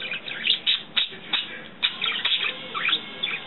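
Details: Pet budgerigars, a pair kept indoors, twitter in a busy, scratchy warble of quick chirps and squeaks tumbling over one another, with louder bursts every half second or so; the female may be annoyed at the male for ignoring her.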